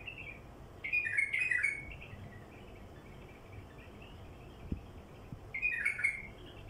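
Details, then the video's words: Song of a wild bulbul used to lure others of its kind: two short, chattering, slightly buzzy phrases separated by a long gap, with constant hiss behind. "تغريد بلبل وحشي لفتح البلابل الوحشية"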